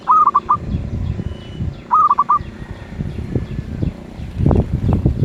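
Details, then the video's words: Zebra dove giving two rolling four-note coo phrases in 'suara sedang' (medium voice) style, then low rumbling noise and thumps take over the second half. "Merbuk suara sedang"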